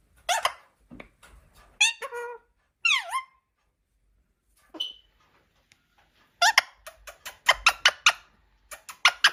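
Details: Talking pet Indian parrot indoors: brief harsh harmonic calls and falling swept notes, then a rapid run of clipped, evenly spaced chattering syllables near the end.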